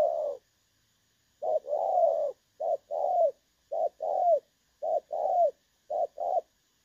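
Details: Clear spotted dove coos in the 'dong son' style, a decoy recording for trapping from 16 August 2024: after an opening note and a one-second pause, short-long coo pairs repeat steadily, hollow and softly falling.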